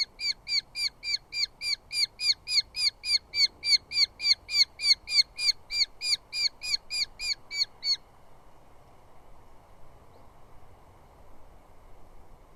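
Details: Two Eurasian hobby chicks fighting over food, moths, as the male visits the nest, southern UK; steady run of loud, strident squeals repeated about three to four times per second for eight seconds, then quiet hiss.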